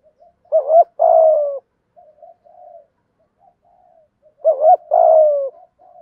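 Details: Spotted dove in thúc gù, giọng thổ coo used to excite wild birds. A rising two-note start and a long falling coo come twice, about 4 seconds apart, with low murmuring notes between the phrases.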